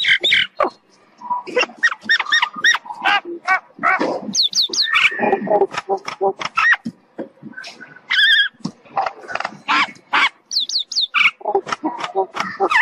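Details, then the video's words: Indian myna, a talking bird, in a varied jumble of squawks, gurgles, clicks and speech-like chatter, broken by quick high whistled notes repeated in pairs. "تغريد طائر المينا الهندي"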